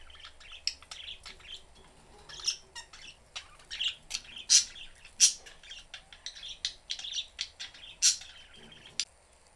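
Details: Three pet budgerigars, a father, mother and young, chirp in a cage with the door open: a busy, irregular stream of short, scratchy chirps and squeaky tweets, about 87 a minute, with a few sharper, louder notes standing out.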